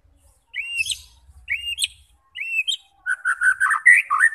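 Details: White-rumped shama song meant to provoke fighting birds: three short rising whistled phrases, each ending in a sharp flick, followed by a quick sequence of warbled, buzzy notes; faint low rumble in the background.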